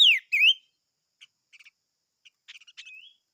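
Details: Chim ngũ sắc opening with two loud, descending-then-rising whistled slurs, then soft chips and a thin, level whistle at the close.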